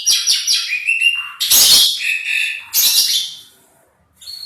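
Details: Asian pied starling singing loudly: quick stuttered notes run into a falling whistle, then two long, harsh, rasping squawks, a clear piping note and a brief pause before a final high note.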